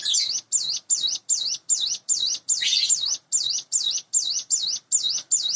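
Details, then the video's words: Morning song of a caged, hand-raised Sunda bush warbler about eight months old: a fast series of high, thin whistled notes, each rising and falling in a wavy shape, repeated about two and a half times per second with one brief buzzier note mid-series. "suara ciblek gunung / cigun dipagi hari"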